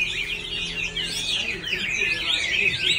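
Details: Loud, nonstop warbling from a male Chinese hwamei, with fast bending whistles layered closely together.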